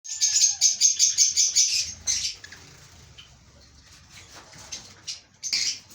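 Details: Breeding pair of lovebirds: a fast run of shrill, high chirps repeated about three times a second for two seconds, then wing flapping and rustling, with a final burst of sharp chirps.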